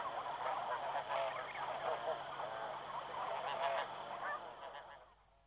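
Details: Snow geese, a group flying past at Chincoteague, Virginia, calling at medium-close range: a dense overlapping chorus of nasal honks and yelping notes, many birds calling at once, fading out near the end.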